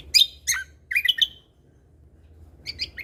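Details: Lesser green leafbird singing in captivity: two sharp bright chips, a short whistled warble, a pause, then a soft quick flourish.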